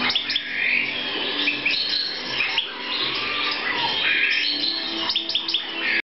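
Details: European goldfinch in a 2014 breeding setting: busy, tinkling twitter of bright high notes, buzzy slurs and quick chirps running almost without pause, over a faint steady low hum.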